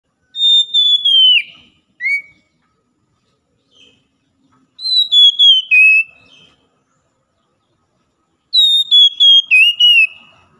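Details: Oriental magpie-robin morning song, used to get a caged bird that stopped singing to sing again: three loud whistled phrases, each a run of short notes sliding down, with a brief lower whistle between the first two, on a silent background.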